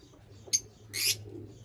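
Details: Lovebird giving two harsh, high chirps: a brief sharp note, then about half a second later a longer raspy screech, over a faint steady low hum.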